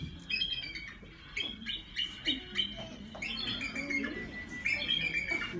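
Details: Bald eagle's real call, contrasted with the red-tailed hawk scream often dubbed for it: thin, high squeaky chatters in quick bursts, like an unoiled wheel, with faint background noise.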